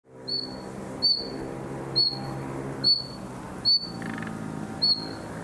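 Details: Young common nightingale in summer, practising its song: six short, clear, slightly falling whistles, spaced just under a second apart, over a steady low hum.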